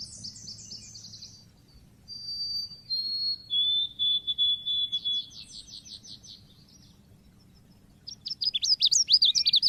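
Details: Oriental white-eye (pleci) lure recording for Indonesian songbird keepers: thin, high descending notes, then a level whistle and a string of short buzzy notes, ending in a fast burst of sharp, sweeping twitters.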